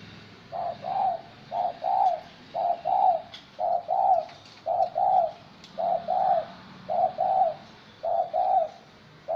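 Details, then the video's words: Wild-caught spotted dove, caged for 80 days, gives soft, low, hollow coos in a steady run of paired notes, roughly one pair each second, over faint background hiss. "Cu gáy bổi"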